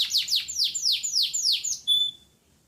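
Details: Canary gacor song: about eight quick falling whistled notes in a row, ending on a single pure, level high tone before the bird falls quiet.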